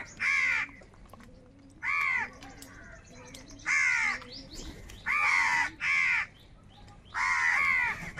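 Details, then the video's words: Crows caw in anger while flocking together over food, six rasping, drawn-out caws at uneven intervals, with softer calls from other birds faintly behind them. "Crow Birds Unity Anger and Sound | All types of Crow Sounds | কাকের ডাক Crow Sound Loudly"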